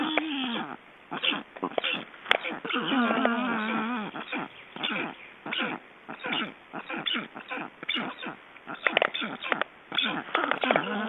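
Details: Black storks in Estonia being ringed on 29 June 2012: a dense run of hoarse, harmonic calls, several drawn-out and wavering, others short and downward-sweeping, packed closely together over eleven seconds, with occasional clicks and handling noise.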